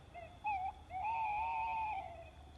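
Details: Tawny owl's night song: a short hoot, a brief pause, then a long, wavering, quavering hooted note lasting over a second, against quiet background hiss.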